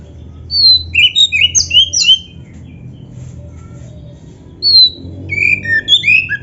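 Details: Kacer, the oriental magpie-robin, sings gacor full isian: two bursts of sharp, high whistles and slurred chips, each around a second and a half long, separated by a quiet pause of about two seconds.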